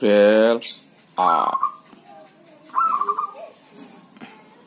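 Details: Healthy kept zebra dove (perkutut) cooing during rain or drizzle; a man speaks briefly first, then two short rolling, bubbly coo phrases follow about a second and a half apart.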